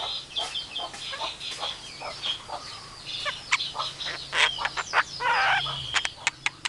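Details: Javan myna mimicking other animals, including a chicken calling its chicks, an Asian pied starling and a hungry civet: a varied stream of clucking and chirping notes with short whistles and sharp clicks, growing louder toward the end.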